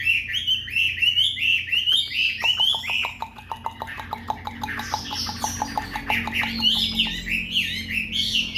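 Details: White-rumped shama singing energetically in the afternoon, a breeding bird: bright looping whistles that give way to a fast ticking rattle, then rich varied warbled phrases, with a steady low hum behind.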